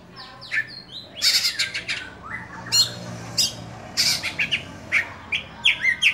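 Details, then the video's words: Caged oriental magpie-robin (Kacer Dewa Air) pouring out dense 'buka-bukaan' song, mixing high whistled slides with loud harsh scratchy notes, delivered almost continuously for six seconds. "Kacer Dewa Air Buka Buka an"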